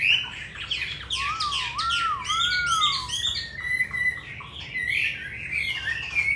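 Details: Caged Hwamei in Hanoi, Vietnam, singing in the wild-voiced style: a clear, wavy whistled slide rises and falls twice under a rapid spray of bright, high notes, with warbling phrases afterwards.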